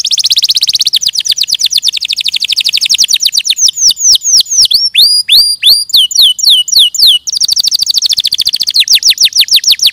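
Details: Canary singing a loud, fast song: rapid repeated high chirps running into sweeping downslurred whistles, then back to dense rattling trills, continuous throughout.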